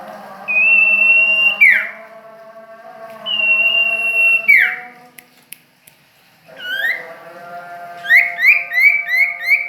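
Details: Common iora (cipoh or sirtu) from Ajibarang singing long level whistles that each end in a quick downward slur, then a rapid run of short rising-falling notes, with faint steady background hum.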